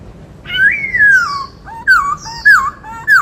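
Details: Captive white-cheeked laughingthrush giving 'bắt cô trói cột' style song: a long rich whistle that rises then slides downward, followed by three short, loud, slurred whistled phrases spaced about half a second apart.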